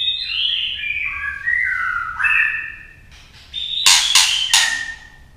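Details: Female white-rumped shama, singing to excite males, delivers a long falling series of rich whistled notes, a pause, then a cluster of three sharp clicking calls with a whistle.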